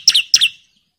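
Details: Bar-winged prinia, agitated and calling out a rival, gives two sharp, high chirps in quick succession, each a bright double note, then falls silent.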